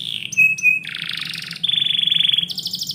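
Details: Indoor canary singing in the morning, short sharp whistles and chips, then a broad buzzing trill, a level pulsed trill, and a higher rattle starting at the end.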